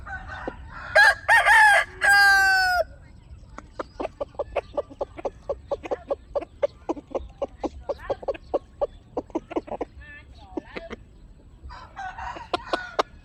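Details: Chickens calling: a loud harsh squawking burst with wavering harmonic notes, then a long run of short, rapid clucks repeated several times a second, ending with another brief squawk.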